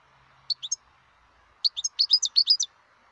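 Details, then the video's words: Singing wild European goldfinch: a quick three-note chirp, then a rapid, liquid twittering run of bright high notes over a steady low background hum. "تغريد الحسون البري"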